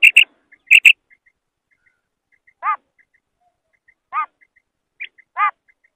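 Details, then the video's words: Female common quail calling: three short, harmonic, nasal notes about every second and a half, with sharp clicking sounds first and faint ticking throughout. "female quail call maadi batair ki awaz"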